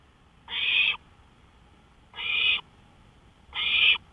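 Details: Owl on a porch at night, 1:53 AM on May 5, 2013; three harsh, raspy hissing screeches, each about half a second long, spaced roughly one and a half seconds apart, over a quiet background.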